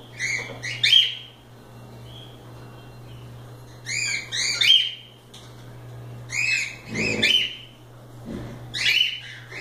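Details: Free-roaming cockatiels playing together produce four bursts of stacked, arching chirps roughly every two seconds, some ending in a sustained whistle, with a couple of soft thumps and a steady low hum.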